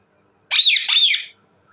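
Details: Indian ringneck parakeet, described as talking, gives a loud double squawk: two harsh, grating bursts in under a second, in an otherwise quiet setting.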